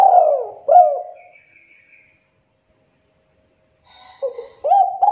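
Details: KUK 2 master song of a spotted dove for training and luring: a low coo and a rising-falling note, a long pause with faint high chirps, then further low coos at the end.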